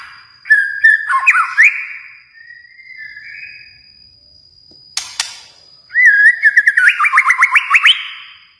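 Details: White-rumped shama from Kalimantan: clear whistled phrases, then a rapid series of repeated rising-falling notes, with a broadband harsh burst in between and a faint steady high tone throughout.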